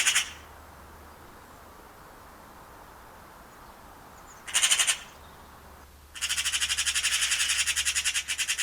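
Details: Eurasian magpie giving harsh, dry rattling chatter: a brief burst at the start, another short burst midway, then a long, fast, even rattle of rapid pulses lasting over two seconds, with quiet gaps between.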